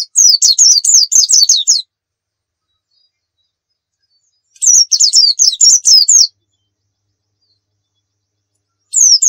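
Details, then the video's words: Pleci dakun white-eye from Pacitan, singing a lively 'nembak' style song full of fill notes, used as a tutor recording: high, rapid chattering bursts of sharp down-slurred chirps, about two seconds long, separated by silent gaps. "masteran pleci gacor nembak full isian"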